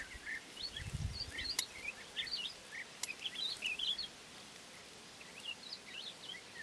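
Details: Woodlark softly singing while preening its feathers: a quiet run of thin, high chirps and short twittering notes, loosest in the first four seconds, with a steady hiss of background noise.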